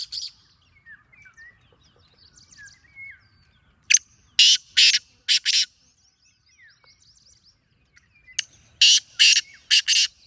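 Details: A black francolin gives two loud phrases of four or five harsh, scratchy, clipped notes about four seconds apart, while small birds chirp and whistle softly in the quiet gaps.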